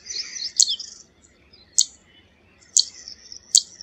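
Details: Four sharp high zit notes from a zitting cisticola, about a second apart, set against a soft, hissing high twittering background.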